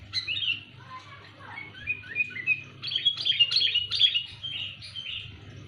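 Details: Sooty-headed bulbul calling loudly, a sound used for luring: a busy, rapid string of chirpy and warbled notes, tumbling and overlapping, growing denser midway, over a low background hum.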